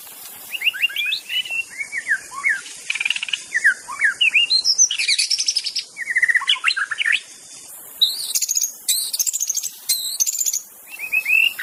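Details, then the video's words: White-rumped shama singing freely in the wild, recorded as a lure for reluctant shamas; a long varied run of rapid whistled phrases, slurs and sharp high notes, shifting pattern every second or so, with steady high hiss. "kicauan MURAI BATU di alam bebas Tanpa Isian||cocok untuk pancingan murai batu macet"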